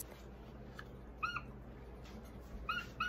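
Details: Caged Amazon parrots, just after dinner, react to their owner wearing a Darth Vader mask with a few short, clear, slightly downslurred whistled squawks, one near the middle and a quick pair at the end, over faint room hum.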